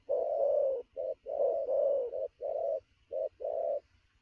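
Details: Wild-caught spotted dove cooing energetically at noon in a fast style: deep, hollow coo notes in quick bursts, some long and some clipped short, separated by brief gaps, with no other clear sounds.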